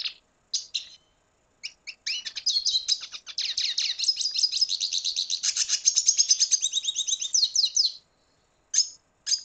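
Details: Red siskin, Venezuela, starting with separate high chips. These run into a long, fast, rolling twitter of buzzy, repeated notes lasting about six seconds, followed by a couple of closing chirps.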